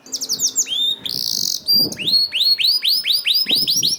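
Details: Canary song to prompt other canaries to sing: high chirps, a loud buzzy rattle, clean whistles, then a steady series of rising swept notes about every third of a second.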